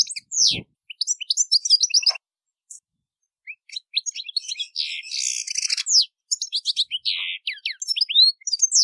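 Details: European goldfinch delivering song with variations: sprightly high twitters, sliding whistled notes and a long nasal buzzy passage, with short silent gaps and a brief low click near the start.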